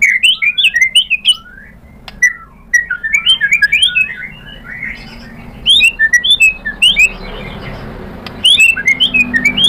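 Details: White-rumped shama provoked into replying, singing scattered high whistled and chattering notes in short bursts separated by brief pauses, over a faint low hum.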